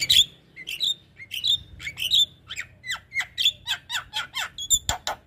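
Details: Javan myna song recorded for training caged birds: a steady run of hoarse, squawky notes and downslurred chirps, about two or three per second, loud and dry, with faint background hum.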